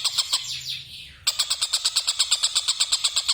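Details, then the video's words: Kingfisher, called tengkek buta, cackling: a rapid series of harsh, even notes repeated about three times per second, following a brief whooshing noise at the start. "Burung Tengkek Buta ngekek"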